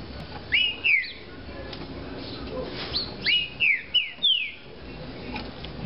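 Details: Caged Green-winged saltator whistling a short two-note opening, then after a pause a run of four clear, descending whistles spaced evenly, over low steady hiss.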